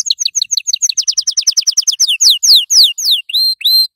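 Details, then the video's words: A yellow canary sings for young canaries to learn from. A quick series of sharp chirps speeds into a rattle, then slows into long, loud, downward-sweeping whistles and rising slurred notes. "أقوى تغريد كناري أصفر للتسميع صغار الكناري"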